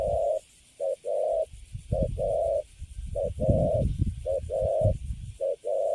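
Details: Caged spotted dove of the Cấn Sấm type, newly caught, gives repeated short-long mellow coos about once a second, partly overlaid by steady low rumbling noise.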